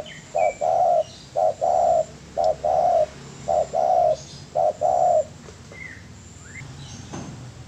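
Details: Spotted dove cooing as a master recording for training birds: five clear low phrases, each a short hooting note followed by a longer, wavering, drawn-out coo, repeated roughly every second with faint high chirps behind.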